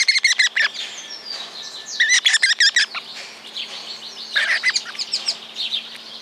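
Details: Guira cuckoo in rural woodland in Santa Fe, Argentina, one of several varied calls that a single bird gives or others answer: bursts of rapid, harsh, descending notes in quick runs, separated by short pauses.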